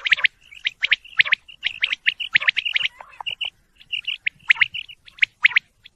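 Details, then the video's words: Quail calling in a busy chorus, said to be male: sharp, high chirps and short buzzy bursts overlapping in quick runs with brief pauses, as though several birds call at once; laughter nearby. "quail sound male"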